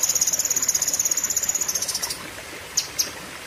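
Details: Long, sharp Cucak kinoi song burst, a very rapid, steady run of high piercing notes for about two seconds, followed by two isolated sharp chirps.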